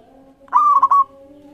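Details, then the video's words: Local zebra dove lure song for prompting other birds to sing: a single half-second coo with quick stuttered beats, over a constant faint humming background. "Masteran Perkutut Lokal Gacor Iramanya Mengundang Lawan Bunyi"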